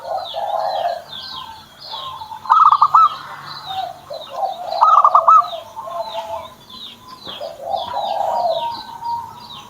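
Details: Zebra dove kept as a pet gives two brief pulsed coo bursts a couple of seconds apart. Mellow lower cooing fills the gaps, and a busy chorus of high chirps from other birds continues throughout.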